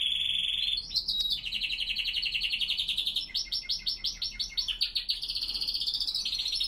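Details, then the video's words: Spanish Timbrado canaries singing on a cold early morning, 5°C, 87% humidity, 07:46 am; continuous high rolling trills shifting between pitches, with a run of distinct pulsed notes repeated rapidly, like a metallic clicking roll. "Timbrados español clasico singing in the cold."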